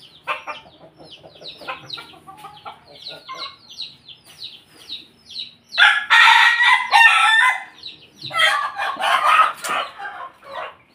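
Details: Two long crows from a Pelung chicken in a home yard in Jogja, Indonesia, each rich and harmonic, about one and a half seconds, separated by a short pause. Small birds twitter with quick descending chirps beforehand.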